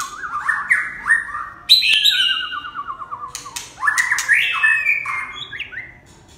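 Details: Red-whiskered bulbul giving a lively song of quick rising whistled notes, a descending series of rapid warbled steps, then more chirpy whistled phrases, with a few sharp clicks scattered through.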